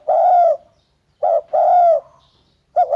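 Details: Mellow, low coos of a spotted dove: one long coo, then a short note and a longer drawn-out coo, then a doubled short note starting again, quiet background.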